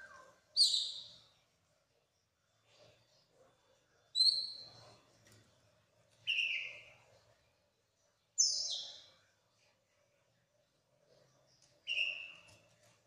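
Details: Oriental magpie-robin, kacer poci type, singing in full voice through its repertoire. It gives short, sharp, high whistled bursts, some dropping in pitch, one every three to four seconds, with faint chirps between them.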